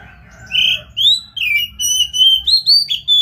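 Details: Singing Oriental magpie-robin, meant to spur another bird to sing: a rapid string of loud, pure whistles, some sliding down, others held level, with a few buzzy and chirped notes in between.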